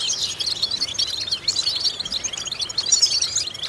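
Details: Song of a European goldfinch, used to train and stimulate goldfinches: fast liquid twittering with buzzy rolled notes and quick chirps in a steady, unbroken stream.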